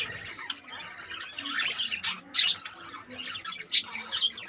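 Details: Budgerigar colony with 25 baby birds; crowded chatter of harsh squawks and scratchy warbles, rising into loud clustered calls at intervals.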